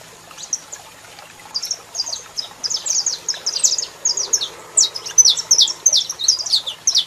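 A saffron finch sings rapid bursts of high, sharp chipping notes, while a female calls alongside; a faint steady high whine runs underneath.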